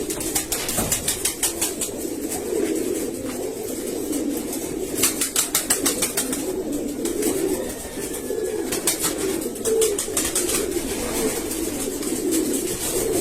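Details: A flock of domestic pigeons in a rooftop loft, with winter coming on, keeps up a low, steady murmur of overlapping coos, with sharp bursts of wing-flapping and scuffling now and then.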